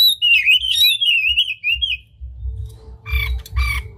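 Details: Oriental magpie-robin (kacer), a tail-spreading bird in full song, used as a lure to stir other magpie-robins into singing: varied whistled phrases that slide up and down for two seconds, then harsh rasping bursts, over low rumbling background noise.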